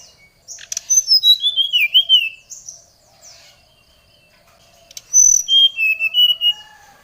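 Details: Oriental magpie-robin singing to provoke a rival: a long phrase of sliding, downslurred whistles, a quiet pause, then a second burst of level whistled notes.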